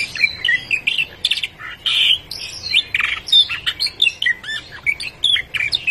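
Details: A canary that has gone a long time without seeing its companion sings a rapid, varied stream of high chirps, trills and squeaky notes in quick bursts with brief pauses.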